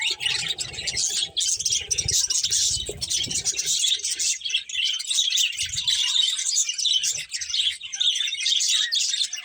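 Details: Colourful budgies at their food keep up a busy, buzzing chatter of fine high chirps for nearly ten seconds, opening with heavy low thumps and rustling.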